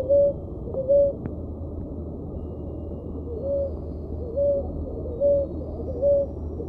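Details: Ruddy ground dove (Columbina talpacoti), known in Brazil as rolinha roxa, singing: short, soft, level cooing notes repeated roughly once a second, six in all, with a two-second pause early on, over a constant low hum.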